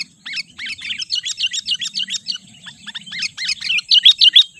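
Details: Sooty-headed bulbul lure call meant to agitate and draw in wild bulbuls. Fast, busy series of high chirps and short slurred notes, about three per second, keeps going throughout, growing louder and more whistled at the end.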